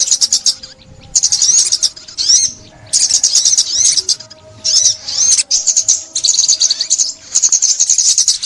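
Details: Sunbird from 2021 delivering bursts of rapid, thin, high twittering separated by clear one-second silences, with some swooping down-slurred notes between bursts.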